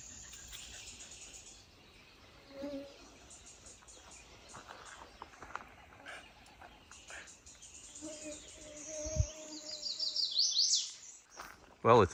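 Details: A Golden-winged Warbler, confirmed by sight, sings a high, thin, buzzy Blue-winged Warbler-style song with a drawn-out insect-like buzz on the K&P Trail, sunny, windless, 15°, early morning of 18 May 2024; a man talks quietly throughout.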